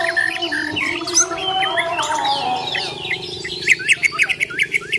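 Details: Bornean white-rumped shama fighting: harsh squawky notes and slurred whistles, ending in a quick sequence of sharp chattering notes, with a faint steady drone.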